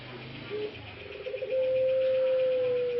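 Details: One of three breeding males of the puter pelung ringneck dove in Karanganyar, Central Java, Indonesia, recovering a hoarse voice after long caging: short soft notes, then a long steady drawn-out coo, over constant rapid pulsing background noise.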